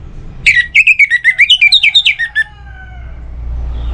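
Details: Orange-headed thrush singing as a lure to get other birds singing: a fast string of about fifteen sharp whistled notes over two seconds, wavering up and down, then fading to quiet background.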